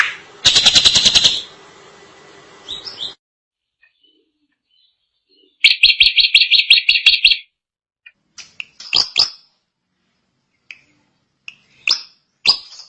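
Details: Vigorous drongo song: a loud, rapid, buzzy rattle of evenly repeated notes, a quiet gap, a second long grating rattle, then scattered sharp chips and short whistled notes.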